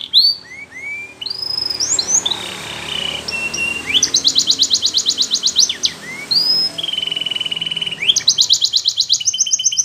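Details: Belgian canary pouring out a long song of rising and falling whistles, level tones and fast rattling trills repeated in bursts, with steady background hiss.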